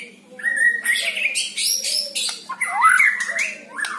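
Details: Song of a white-rumped shama, used to prompt a kept bird to sing: a long clear whistle, then dense buzzy, scratchy phrases and a wavering whistled slur near the end.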